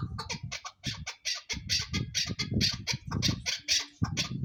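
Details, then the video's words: A female chukar partridge gives a rapid run of harsh, clucking chuck notes, several per second, over a low muffled rumble. "keklik sesi chakor birds shikari chakor awaz sound voice"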